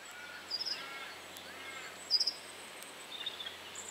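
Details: Red crossbill perched high in a bare tree, giving short sharp high clipped notes in quick clusters of three or four, heard around half a second and again near two seconds, with fainter notes later over steady background hiss.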